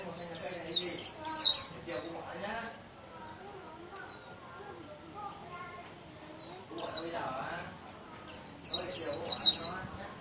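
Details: Caged Japanese white-eye singing in the líu style while spreading its wings: bursts of high, rapid, sweet chattering notes open and close the passage, separated by a long quiet stretch with faint lower background sounds.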